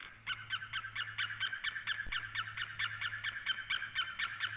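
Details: Female white-tailed eagle at a Latvian nest, March 2017 evening, uttering a steady chain of yelping, slightly barking notes about three per second over a low electrical hum.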